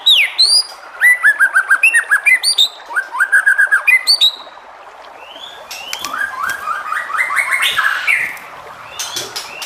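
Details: White-rumped shama song used to stir other shamas into singing: quick series of repeated sharp whistled notes in rhythmic runs, a short pause, then a softer chattering, buzzy warble.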